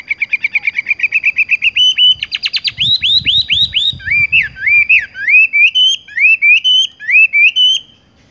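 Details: Horsfield's bush lark rolling song: a long rapid trill of chirps, a buzzy burst, then a string of swooping slurred whistles rising and falling at a steady pace. Soft rustling is heard underneath.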